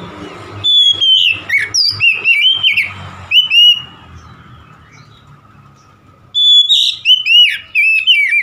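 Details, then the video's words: Oriental magpie-robin singing in gacor style: loud whistled phrases with slurred, rising and falling notes in quick bursts, a pause of near silence, then another run of sweet, sliding whistles. "KACER SETRES MACET BUNYI LANGSUNG GACOR"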